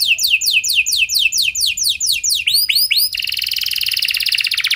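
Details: Canary lure song, ornate and long-phrased, meant to set other canaries singing: quick repeated downward-sweeping whistles, a few arched notes, then an abrupt change into a harsh, buzzy high rattle.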